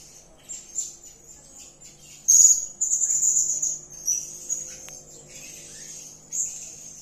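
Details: Serindit, the blue-crowned hanging parrot, giving excited 'gacor' calls: quiet high ticking, then a loud shrill sibilant trill lasting about two seconds, fading into softer twitters.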